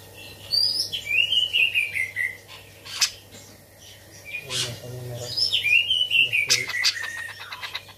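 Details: Tame caged Bearded bulbul singing energetically with grejaan imitations: high whistled phrases falling in steps, interrupted by sharp loud notes and low buzzy bursts, then a second falling whistled run; steady hum throughout.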